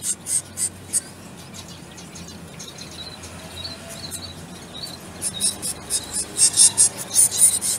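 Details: Hand-fed zebra finch babies begging: a few rasping high calls at the start, a quieter stretch, then a rising run of loud, buzzy, repeated bursts near the end.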